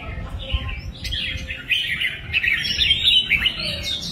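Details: Red-whiskered bulbul singing a fast, continuous warbled phrase of bright, rising and falling notes, with steady low rumble in the background.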